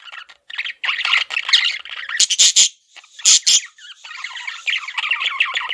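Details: Male budgerigar kept as a pet, chattering in a dense, continuous warble of scratchy chirps and twitters, broken by several loud, sharp squawks near the middle.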